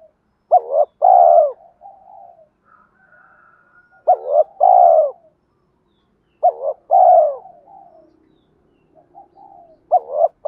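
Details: Spotted dove giving a fighting coo for luring wild birds to a trap: loud three-part phrases repeated roughly every three seconds, each ending in a long sloping coo, with soft rolling notes and faint higher tones between.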